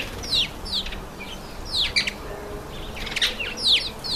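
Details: At a birdbath, a red-faced mousebird (Urocolius indicus) gives sharp, downslurred whistles in small clusters separated by short pauses, with a quiet outdoor background.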